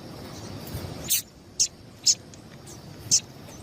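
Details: Female double-collared seedeater gives four short, high, thin chips about half a second to a second apart over a low hum, a call played to stimulate male seedeaters into singing.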